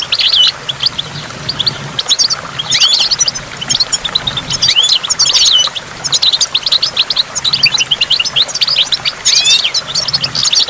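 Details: Beside a waterfall with falling water drops, a goldfinch pours out a long, dense twittering song of rapid high notes and buzzy trills, barely pausing, over a soft low hum.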